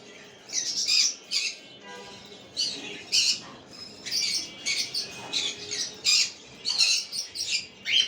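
A cockatiel gives repeated harsh, high squawking calls in short bursts, indoors.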